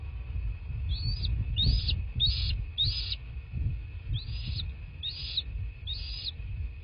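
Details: Bald eagle calling at its nest in southwest Florida, nest camera, 23 February 2024: a series of seven short, high, squeaky chirps, each rising then dropping, in two bursts of four and three, over low rumble and steady hum.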